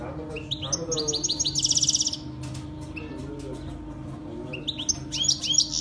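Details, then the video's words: Saira canary, a singer used for training young canaries, delivering a rapid high song: fast repeated chirped notes, a dense buzzy trill near the two-second mark, then renewed sweeping phrases, over a steady low hum. "Saira canary full start training singing for baby Saira canary"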